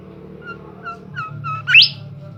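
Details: Bimoli bird in full lively song: a few soft whistled notes followed by a bright, sharply upswept whistle, with a low droning background hum.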